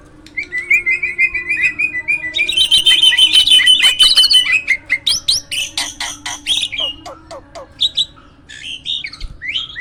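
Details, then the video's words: Lively varied singing from a caged hybrid myna used as a master for competition birds: a warbled trill, then a loud rapid run of high chattering notes and rising squeaky phrases. "JALAK HYBIRD GACOOR!! MASTERNYA PARA JUARA."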